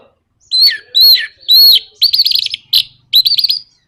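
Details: Orange-headed thrush in captivity performing nraktak konslet song used to provoke other birds: three loud down-slurred whistles followed by quick stuttering trills of high, sharp notes in short bursts.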